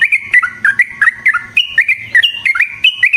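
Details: Yellow-vented bulbul, long rapid 'ropel' song used as a trapping lure: quick clear notes hop up and down in lively, evenly spaced bursts, about three to four per second, continuous throughout.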